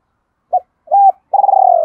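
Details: Short spotted dove phrase from a decoy bird in 'giọng đôi ròng' style: a clipped note, a level held coo, then a long vibrating, gently falling coo.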